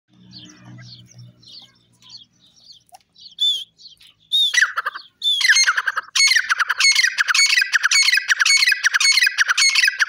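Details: Grey francolin (teetar) calling: a few faint chirps and soft notes give way to loud, harsh, ringing squawks that build into a rapid, rough series of repeated notes, close to two each second, running to the end.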